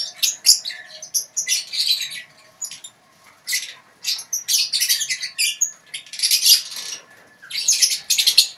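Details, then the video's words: Several lovebirds in a colony cage chattering ngekek-style: high, scratchy, trilled bursts and squeaks in irregular clusters, with a faint low hum underneath. "Lovebird ngekek di kandang koloni"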